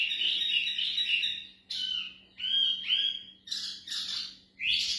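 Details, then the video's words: From a mini wambi pair kept for breeding comes a scratchy, twittering phrase of buzzy chirps and slurred notes in bursts about a second apart, with a faint steady hum behind. "Sepasang Burung Wambi Mini Gacor Siap Ternak"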